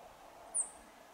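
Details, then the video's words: Rock bunting (Emberiza cia) calling at Chopta, Uttarakhand, in April 2018: a single very high, thin, brief, slightly falling 'tsi' note over a soft, steady background hiss; Rock bunting. "Rock Bunting (Emberiza cia)- Calling"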